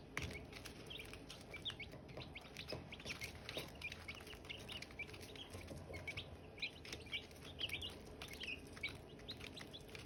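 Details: Silkie chicken chicks around hatching eggs, a dense chorus of high, sharp peeps repeated rapidly and overlapping throughout, with some rising and falling chirps and a faint low background rumble.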